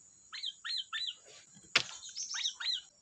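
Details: Kutilang, or sooty-headed bulbul, repeating short slurred notes that rise and then drop, five in quick groups. One sharp crack sounds midway, and there is a soft hiss behind.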